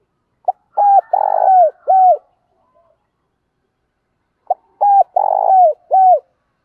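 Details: Spotted dove cooing, used to stimulate and train captive doves with morning playback: two bursts of hoarse cooing phrases, each a short lead note followed by three downward-curving coos, with about two seconds of silence between bursts.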